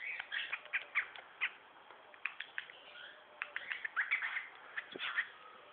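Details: A male pied cockatiel, chattering as he always does, gives a quick, uneven run of short chirps, squeaks and scratchy squawks, with brief pauses between bursts.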